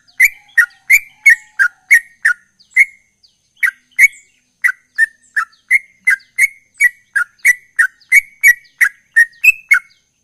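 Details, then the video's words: Ropel-style song of a sooty-headed bulbul, said to be chatty: fast, even chirps with brief gaps, each note a crisp slurred tweet at a similar pitch, a few rising higher. "Trucukan Gacor Ropel"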